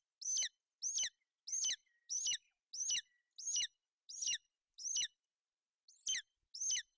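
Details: A nesting pair of golden eagles in Bucovina, the female brooding her chick in bad weather on 28 May 2021. There are ten sharp, high, falling chirps, about one every 0.7 seconds, with a short pause before the last two.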